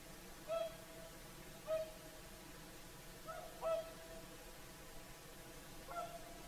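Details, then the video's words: Whooper swans singing at sunset along Lake Saimaa's shore, an evening chorus by Finland's national bird; four clear, honking trumpet notes arrive about every second or two, each brief and nasal, over a quiet, even background. "Swans singing at sunset - Lake Saimaa"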